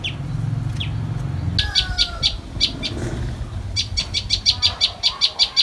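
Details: Common tailorbird chicks and parent during feeding, the adult carrying caterpillars to the young; thin high chirps start sparse, then quicken into a fast even burst of about ten notes a second over a low rumbling background.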